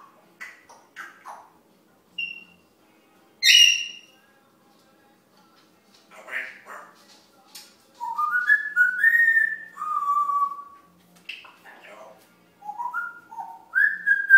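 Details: A pet African Grey parrot waiting for its lunch chatters indoors in a jumble of speech-like syllables, clicks and clear whistles that rise and fall, some slurred upward.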